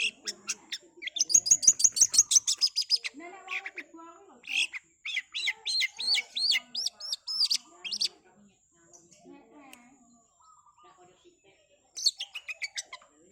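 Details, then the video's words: Long-tailed shrike singing in a fast, strong style used as a training recording for songbirds: bursts of rapid high chirps, a quick run of repeated sharp notes, then rising and falling whistled notes with pauses. "Cendet Super Speed, kuat kaya werkudoro oreo masteran burung kicau gacor dor rool speed"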